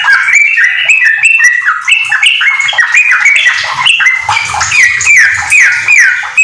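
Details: Yellow-vented bulbul singing a rapid continuous song that includes white-rumped shama phrases, for tutoring home-kept bulbuls; fast chattering whistles and repeated falling notes, with a low rumble in the background near the end.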